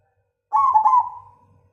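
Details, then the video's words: Zebra dove of the cemani Majapahit type, noted for its loud, big voice, giving a single deep rounded coo that wavers slightly in the middle and fades out smoothly over about a second. "Perkutut cemani Majapahit suara besar"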